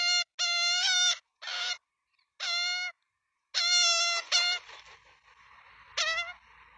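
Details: At feeding time in Melbourne on 23 September 2022, Australian magpie chicks beg from their nest on a nestcam. Loud, nasal, strongly harmonic squawks come in clusters of about half a second to a second, with raspy overlapping cries.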